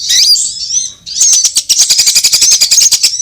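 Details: Sunbird calls played as a trapping lure, covering several kinds of sunbird: a brief high warbled phrase, a short pause, then a fast even trill of sharp ticking notes at about six per second.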